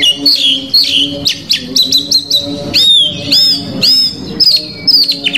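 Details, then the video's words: Oriental magpie-robin singing to provoke rival males: loud, varied phrases of bright rising and falling whistles and quick chips, delivered in short bursts almost twice a second, over a steady low electrical hum. "KACER COR DOR BONGKAR ISIAN PAS UNTUK MEMANCING KACER LAWAN"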